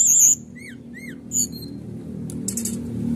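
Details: Canary singing in the rapid "nembak" style meant to provoke rival birds: a sharp high trill, then separate up-and-down whistled notes and a brief buzzy burst, over a steady low hum.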